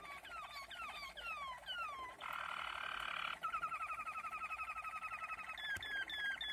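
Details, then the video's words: Waterslager (Malinois) canary singing in 2020: a run of falling whistled slides, a brief rolling buzz, then rapid bubbling notes repeated about four times a second. "malinois waterslager. Καναρίνι Μαλινουα"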